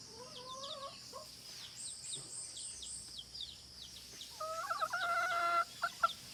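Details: Hen giving drawn-out, tonal, wavering notes, first two short level calls, then a longer warbling series near the end, while small birds chirp with thin, quick, downward notes in the background.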